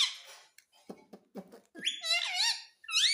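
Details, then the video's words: Pet talking parrot indoors, said to say "mummy": soft low clicks and rustles first, then two bright, wavering, harmonic squeaky syllables rising and falling, the second following after a short pause. "Talking parrot - mummy bolne wala tota"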